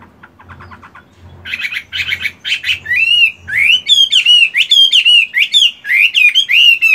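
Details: Caged Chinese hwamei of fighting type practising its voice on a morning during moult: soft clicks and low thumps at first, then harsh buzzy bursts giving way to loud, swooping whistled phrases.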